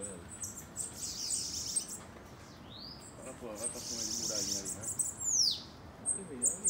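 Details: Bananaquit singing during a campeada, a singing session among kept birds: thin, very high sibilant buzzes and sweeping arcs of notes, with low speech underneath.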